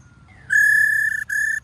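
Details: After a faint rising whistle, a female White-cheeked laughingthrush gives a sustained buzzy, nasal rasp and one shorter burst, the 'ro' call style.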